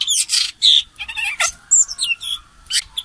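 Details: Common green magpie calling as a lure bird: a run of loud, harsh squawks and short high whistled notes in quick uneven bursts, with a sharp rising whistle near the middle and no other clear sounds.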